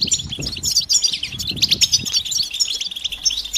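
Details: European goldfinches in a lively chorus of mating calls aimed at stimulating males to sing; bright, high, rapid twitters and chirps overlapping without pause, with light scuffling underneath.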